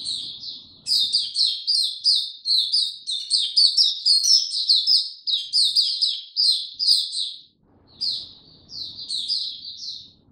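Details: Sustained, loud song of a captive Oriental white-eye recorded 2 May 2022. Dense, rapid high-pitched chirps tumble together for about seven seconds, pause briefly, then resume in softer phrases.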